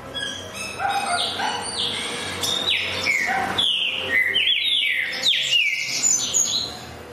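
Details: Green-winged saltator song, a rapid run of loud, clear whistled notes, each sliding downward, delivered about three to four per second over faint background chatter.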